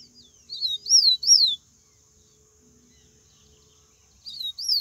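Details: Yellow-bellied Seedeater in the wild, singing the Bahian song: a few bright, falling whistled slurs, a pause of nearly three seconds, then the phrase starts again. A faint low hum sits underneath.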